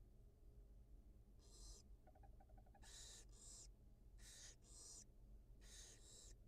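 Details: Barn owl mother feeds two newly hatched nestlings at a wild nest, live camera; rapid soft chittering notes, then paired harsh hisses repeated in three sets, low hum behind.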